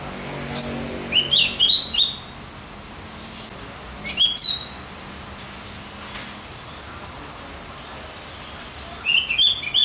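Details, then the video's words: Javan grey-throated white-eye tutor recording to excite other birds: scattered bursts of quick, high, chirpy twitters, a cluster early, one near the middle and another at the end, separated by quiet pauses. "Masteran buat burung OPIOR JAWA agar tambah emosi"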